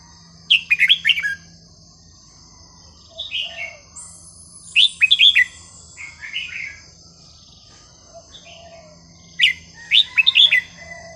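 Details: Red-whiskered bulbul singing a melodious, varied style for teaching young birds: clusters of rapid liquid whistled notes roughly every two to five seconds, with softer warbles between, over a low constant hum.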